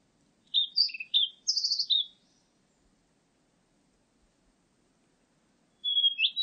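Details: A blue-and-white flycatcher sings a short phrase of varied whistled notes that sweep up and down, falls silent for several seconds, then begins another phrase with a clear descending whistle.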